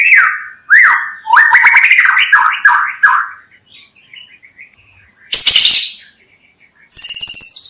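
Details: A white-rumped shama sings fluid rising whistles and a rapid chattering run, then goes quiet before a harsh burst and a high rattling trill.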